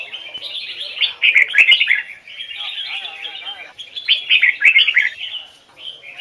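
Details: Trained red-whiskered bulbul, Hoài Sơn forest double-note style, singing strong whistled phrases of rapid falling and rising slurs, loud near the middle and again after four seconds, with faint low chatter beneath.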